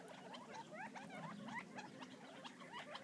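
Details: Short, clear upward-slurred notes from wild Gambel's quail feeding near Florence, Arizona, come several per second and overlap into a soft chatter with faint tapping.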